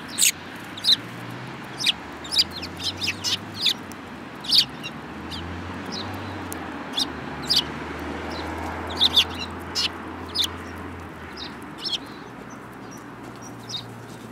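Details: Flock of sparrows including one with a yellow bill, recorded 24 February 2018, with frequent crisp chirps in loose series across the whole stretch, plus an intermittent low droning hum underneath.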